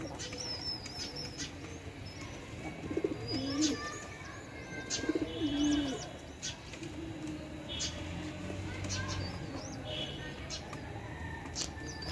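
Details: While a mother pigeon feeds her chick, two brief bubbling coo phrases come a few seconds apart, against a quiet background with scattered faint high chirps from other birds.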